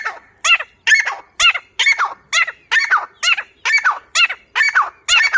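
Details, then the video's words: Steady, rhythmic grey francolin calling: bold, harsh notes with a dipping, wavering shape, evenly spaced at a little over one per second. "grey Francolin sound teetar"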